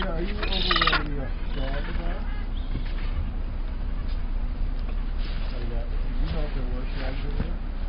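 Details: Gentoo penguins bray in harsh, honking bursts across a busy colony on Petermann Island, Antarctic Peninsula, 11 March 2011, loudest at the start, while people talk quietly nearby.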